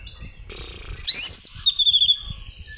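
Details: Greater green leafbird calling an opponent: a hissing burst, then a high, arching whistle and a rapid trill of ringing notes that fades into a thin, falling whistle.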